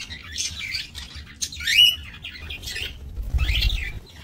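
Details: Budgerigars bred in a minimalist aviary, 28 November 2024; warbled chirps with clear upward and downward whistled sweeps in separate phrases, a few birds calling, light background hum.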